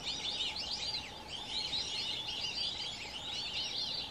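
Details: A flock of white-faced whistling ducks in an African nature reserve, alongside waterbuck, gives a steady chorus of high, clear, overlapping whistles.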